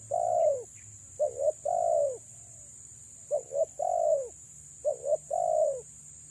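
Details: Female spotted dove calling to draw in males: repeated three-part phrases of two short hollow notes and a drawn-out descending coo, spaced about every one and a half seconds, steady high hiss throughout.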